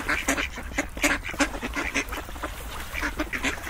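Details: Flock of ducks calling in rapid, clipped quacks. The calls overlap in a steady chatter, with a few sharper, louder notes in the first half.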